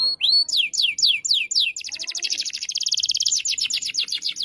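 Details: Canary singing gacor-style beside a young canary in training: a few bold sweeping whistles, then a long fast buzzy roll of tightly packed high notes lasting over two seconds.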